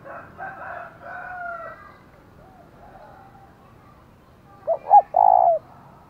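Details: Decoy spotted dove in the thổ voice style, calling to provoke rivals: after softer drawn-out tonal sounds from another bird, a single loud phrase of two clipped notes and a long buzzy coo.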